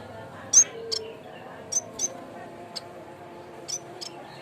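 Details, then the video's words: Yellow-bellied warbler (cikrak bambu) lure sound for training: a few thin, very high chirps, one louder note first, then softer scattered notes over quiet background hum. "BUNYI BURUNG CIKRAK BAMBU"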